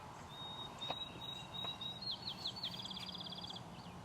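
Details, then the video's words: A field sparrow sings sweet, high whistled notes that speed up into a bright, even trill, on a spring morning in a field with power lines beside the road to the Summit Knobs equestrian trail; low distant background hum. "a field sparrow sings"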